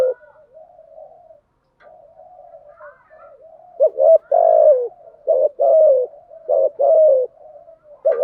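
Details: Spotted dove calling as a decoy to attract doves; soft low murmuring at first, then loud mellow coos in quick succession, short notes and long downward-sliding coos alternating.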